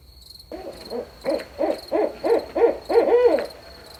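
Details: Rapid series of barred owl hoots at night, about three per second, growing louder and ending in a longer drawn hoot. A constant high-pitched insect tone sounds behind them.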